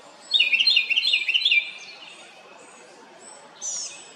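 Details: House wren making a loud noise: a quick, bubbling, rattling trill of repeated notes for over a second, then silence and one faint high note near the end.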